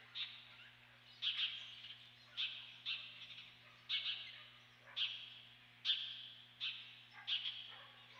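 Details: Osprey at the Dunrovin Ranch nest on 28 May 2013 gives a string of shrill, squealing calls, each a sharp onset trailing off, spaced roughly a second apart over a constant low electrical hum.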